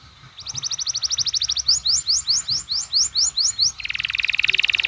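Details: Canary masteran tembakan, played so that other canaries respond with song: a quick trill of clipped high notes, then about eight sharp upward-sweeping whistles, ending in a dense rapid buzzing roll.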